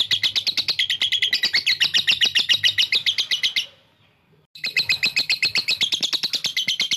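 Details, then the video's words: Lovebird giving ngekek, a long chattering trill to provoke rival birds: quick high rattling pulses for nearly four seconds, a second of silence, then the rapid chatter returning. "masteran gacor lovebird 1 jam memancing lawan ngekek panjang"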